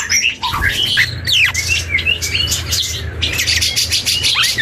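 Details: Juvenile black-and-yellow oriole learning to sing, giving a jumble of fluting slides, sharp downward sweeps and scratchy chirps in quick irregular bursts, with a low background hum.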